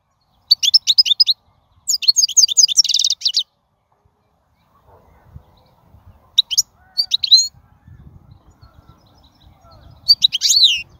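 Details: Wild European goldfinch song: separate bursts of high, rapid twittering and buzzy trilled notes with quiet gaps between them, and a faint low background hum in the middle.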